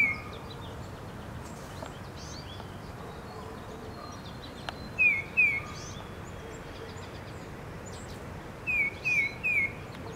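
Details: Wild tufted titmouse in spring with ragged feathers from frequent fights, calling near a person who feeds peanuts: short slurred whistles in a pair, then a quick run of three, over steady outdoor hiss and faint chirps.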